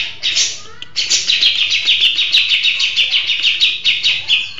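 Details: Grey-cheeked bulbul in steady full song: a short opening chatter, a gap, then a string of sharp, even notes repeated about twice a second, high and slightly buzzy.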